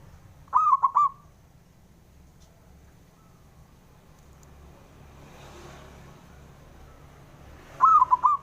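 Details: Male local zebra dove calling to provoke rivals into answering: two bursts of stuttering, mellow cooing phrases about seven seconds apart, with a quiet stretch and low background hum between them.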